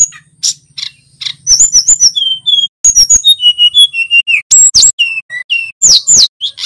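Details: Singing male little pied flycatcher: thin, high chips become a busy run of whistled, slurred notes and quick trills, with a soft low rattling noise in the opening seconds.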